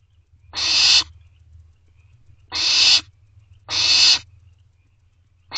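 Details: Food calls of young barn owls to their parents, Owl Box C, just before midnight on 24 May 2023; four rough, hissing screeches at irregular intervals over a faint low hum.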